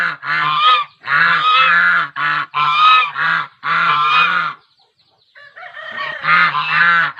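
Swans trumpet loud, nasal honks, five in quick succession, each under a second. After a brief pause, more overlapping calls follow.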